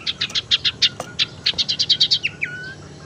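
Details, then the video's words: Tailorbird lure sound for attracting birds and stimulating quiet ones to sing: a quick series of about fifteen sharp, high chipping notes, ending in a short falling-then-level slurred whistle. "suara pancingan sirtu teras"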